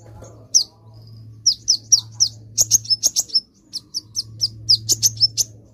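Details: Sunbird song used as a lure for birds: bursts of thin, very high, sharp chirps, single and in quick pairs and triplets, over a faint low hum.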